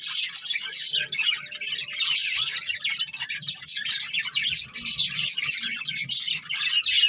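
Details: Pet budgerigars of one family twittering nonstop, a dense stream of quick high chirps and scratchy warbled notes, steady in loudness throughout.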